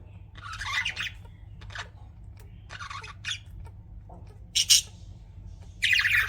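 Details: Several spaced bursts of raspy budgerigar chatter from pet birds, short squawks separated by quiet gaps, with a sharp loud note near four and a half seconds and another burst at the end.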